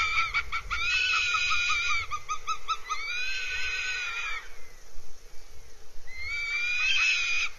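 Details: Goshawk nest in Scotland's Abernethy Forest, 3 July 2022. Loud, nasal, quavering wails come in two long stretches with stuttering notes between them, then a short pause before another rising wail.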